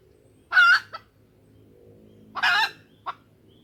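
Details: Female junglefowl call for luring males into crowing: two rasping nasal clucks nearly two seconds apart, each trailed by a short sharp note, over a low droning hum.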